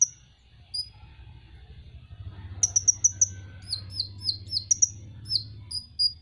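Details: Van Hasselt's sunbird, pet songbird, masteran tutor recording: scattered high notes, then a quick burst of sharp chirps and a string of thin slurred squeaks at a steady pace, low hum in the background.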